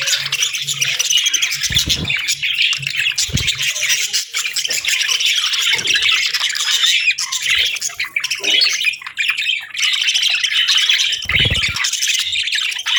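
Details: On a peaceful morning, a flock of budgerigars keeps up continuous loud chattering, mixing squawky notes and rapid twitters, with a few dull low thumps.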